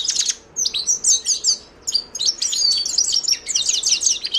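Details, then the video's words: Himalayan goldfinch singing a fast, high twittering song of tinkling, chirpy notes in quick bursts separated by short pauses. "تغريد حسون الهيمالايا chant de chardonneret hymalaya"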